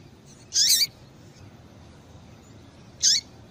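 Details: Female double-collared seedeater giving two short, high, thin call notes about two and a half seconds apart, each with a quick sweeping chirp, over faint background hiss; the female call is used to stimulate males to sing.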